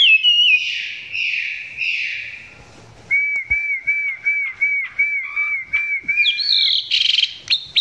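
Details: Chinese hwamei, recorded up close and not yet singing at full strength: buzzy phrases, a pause, then a long series of evenly repeated looping whistles and a bright, harsher final burst.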